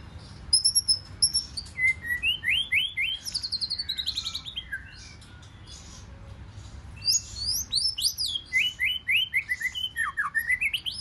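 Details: Wild-caught white-rumped shama in forest-voice fighting song: bursts of rapid ascending and descending whistles and chattering trills, a short pause, then another energetic run of sweeping notes repeated about four per second.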